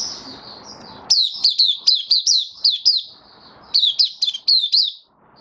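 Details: Caged white-eye in open song, recorded 18 May 2022 after completing regular deworming treatment. After a second of low background hum, it gives quick high down-slurred chirps in two bursts of about eight notes each, separated by a brief pause.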